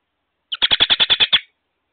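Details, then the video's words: American robin at a nest with young, filmed on May 22 by a solar wireless outdoor security camera; a loud, rapid burst of about eight sharp, high chirps packed into under a second, with no other sounds. "ROBIN CAMERA - MAY 22nd. They ARE Very Loud Today"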